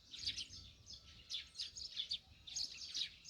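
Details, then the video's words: Several Eurasian tree sparrows chatter at a country house in the morning, giving clusters of sharp, high chirps in rapid pairs and triplets with short pauses between. "새소리 몇마리일까요? 아침 수다"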